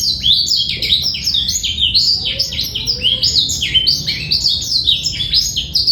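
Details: Black-throated canary male in continuous song, a training recording for young birds, with dense bursts of high chirps and quick falling slurs tumbling together almost without pause, a faint low whistle briefly beneath.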